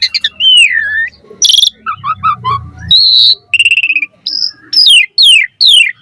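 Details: Asian pied starling in lively full-variation mompa song used for training birds: a falling whistle, sharp high squeals, a run of buzzy chattered notes, then a flat whistled note and a quick series of descending whistled slurs.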